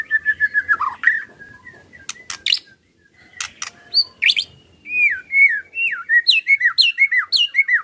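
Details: White-rumped shama song in ketrekan style, a lure to get other shamas singing. Quick repeated chirps, a few sharp clicks, then a lively run of looping, downslurred whistles.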